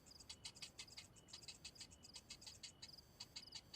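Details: Softer, rapid tick-tick begging from a hungry cinnamon bittern chick, the clicks bright and high-pitched and coming in short uneven runs.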